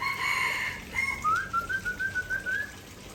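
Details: A harsh, grating burst opens this Aceh white-rumped shama fill-in phrase, followed by a short whistle and a rising, steady trill of clear notes lasting about a second and a half.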